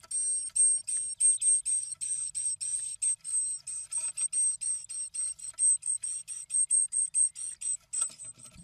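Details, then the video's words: Great tits inside a nest box in late March give a rapid string of thin, very high hissing notes, about three to four per second, in a small enclosed space. "Great tits talking in the nest box"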